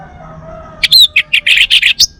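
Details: Caged male orange-headed thrush, Bali type, from Singaraja: after a quiet start, a rapid run of about eight loud buzzy chirps and whistles in under a second and a half.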